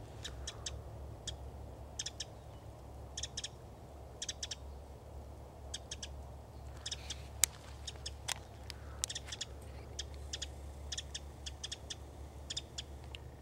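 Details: Winter wren at Hassayampa River Preserve on February 11, 2011, giving sharp, dry tick notes, often doubled, in irregular bursts throughout, over a steady low hum.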